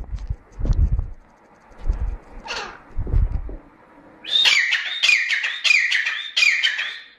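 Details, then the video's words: A Grey francolin (teetar) in Pakistan gives loud, shrill, ringing notes repeated quickly, about every half second, after a few seconds of low thumping and rumbling. "Grey francolin teetar calling - chitra ka awaaz | Teetar ki awaz"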